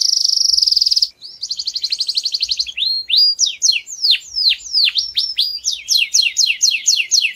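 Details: Canary song used for training young birds: a loud, rapid buzzy trill, then a faster rattling trill, followed by series of clear whistled notes that swoop down steeply and repeat in quick succession.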